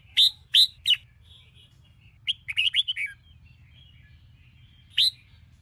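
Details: Sông Kôn red-whiskered bulbul singing in the morning for song training of caged birds. Three loud sharp whistled notes open, then a rapid run of five warbling notes, a long pause, and one final bright note.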